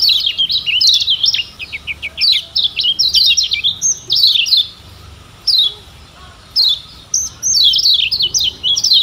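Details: Tutor recording of a Lombok lemon-bellied white-eye, or kecial kuning; runs of quick falling chips lead into high, jumbled twittering, repeated in bursts with short silences.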